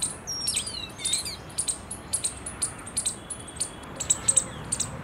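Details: Oriental magpie-robin recorded on 31 March 2023: a quick run of short, very high chirps repeated about twice a second, with a few sliding whistled notes near the start, over a steady low background hiss.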